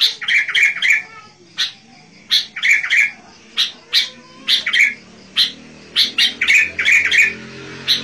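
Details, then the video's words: Sooty-headed bulbul singing vigorously, a recording used to lure wild bulbuls: bubbly, chirping phrases of quick bright notes in short clusters, repeated every second or so, over a low steady hum. "SUARA burunh KUTILANG GACOR"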